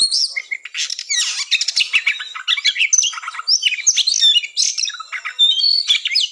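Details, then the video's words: Oriental magpie-robin fighting-style song used to test and rouse birds before contests: a dense, continuous stream of rich whistles, harsh scratchy notes and chattering squawks, varied and rapid, with no pauses. "TES MENTAL KACER TARUNG NGOBRA"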